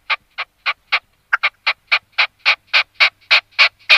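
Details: Red-legged partridge giving a string of rasping notes that speeds up and grows louder, starting about three a second and becoming more rapid and intense as it goes.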